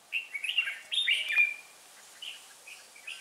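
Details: Hòa Bình decoy red-whiskered bulbul singing hard in the 'ché' style at a trap, 18 December 2016: a quick run of tumbling, rolling notes in the first half, then a few soft chirps.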